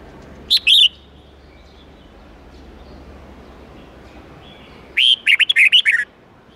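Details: Red-whiskered bulbul in an 8–10-note wild-forest song, played for young birds to learn from. A brief two-note call, a quiet gap, then a fast phrase of several rising and falling whistles.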